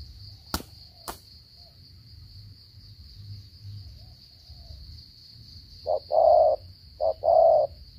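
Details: Spotted dove from Cà Mau, its coo style locally called "gù cà lăm" (stuttering coo). Two low, hollow coo phrases arrive near the end, each a short note then a longer one, over a steady high insect trill and two sharp clicks early on.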